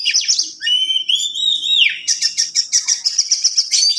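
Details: Continuous rolling song of an Oriental magpie-robin for teaching other birds: quick high chirps, a clear sustained whistle sliding upward, then a fast series of pulsed sharp notes repeated several times a second, recorded cleanly.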